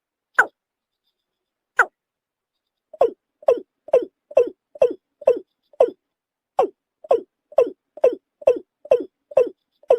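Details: Watercock, known locally as kora, starting with two isolated rising-falling notes. It then breaks into a fast run of about sixteen short, deep, hollow notes repeated at a steady pace, with no other sounds.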